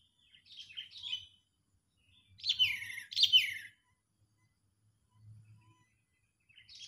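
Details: Angry sooty-headed bulbul, played as a trapping lure, giving scattered bursts of harsh descending chattering notes with quiet gaps and a faint low hum between them.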